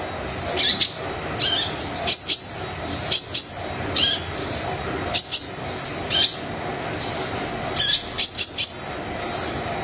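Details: Brown-throated sunbird singing vigorously as a lure for lazy singers: high, thin sliding whistles introduced by crisp ticks, phrases about every second, a faint steady hiss behind.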